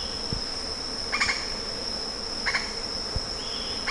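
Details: Lettered aracari calling with brief rasping double notes, three bursts about one and a quarter seconds apart, against a constant shrill insect hum and faint low thumps.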